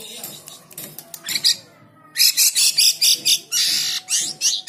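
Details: Energetic song of a white-shouldered triller used to teach other cage birds: scattered chips and short notes, a pause, then a rhythmic string of loud grating bursts ending in a long raspy note and sharp calls.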